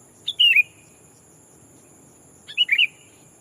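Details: Sooty-headed bulbul kept as a decoy, calling to challenge rivals and draw in wild bulbuls: a quick gurgling phrase of a few bright notes, repeated once after about two seconds, with a thin constant hiss-tone behind.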